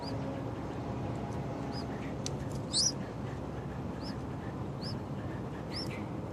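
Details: Two Yellow-vented bulbul chicks call loudly with thin, high, arched chirps, one louder squeal among scattered softer notes, over a steady low rumble.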